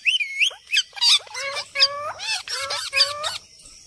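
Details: Parrot voices outdoors: loud harsh, wavering squawks and nasal screeches, several drawn-out notes with bending pitch, repeated in close sequence for about three seconds before fading.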